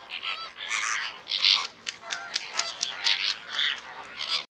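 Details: Greater Flamingo (Phoenicopterus roseus) calls from several birds at once: loud, nasal, goose-like honks and gabbling notes overlap in steady bursts, with sharp clipped honks punctuating the chorus throughout.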